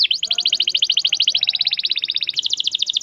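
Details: Canary delivering an unbroken long trill of rapidly repeated notes, the pitch stepping slightly up in the final second.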